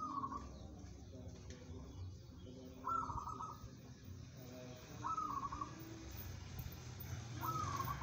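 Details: Local zebra dove, said to be steady and suited to competition, giving four trilled, purring coo phrases at irregular intervals over eight seconds, against a low background rumble.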